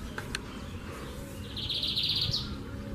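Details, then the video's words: Lined seedeater (bigodinho) singing: a high, rapid buzzy trill of about a second that ends in a sharp upslurred note, over a low steady background rumble. "Bigodinho Cantando Na Natureza"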